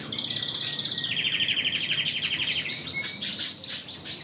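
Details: Timbrado-style song from a Red Intense canary: a long even metallic trill pulsing about ten times a second, then brief whistled notes and sharper chirping rolls.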